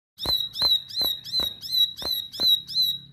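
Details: Insistent, aggressive-sounding bar-winged prinia song: a sharp high note with a short trailing whistle, repeated evenly about every half second, each preceded by a dry click.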